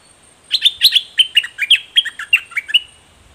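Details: Straw-headed bulbul clashing fiercely with a wild bird, singing a loud, rich warbled phrase of rapid liquid notes, rising and falling, lasting over two seconds against a quiet background.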